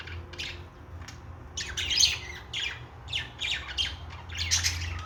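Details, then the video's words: Budgerigar chatter: scratchy, buzzy bursts and short squawks in clumps roughly every half second to second, quieter at first then busier, with a constant low hum underneath. "Australian parrot singing#Australian parrot sounds#"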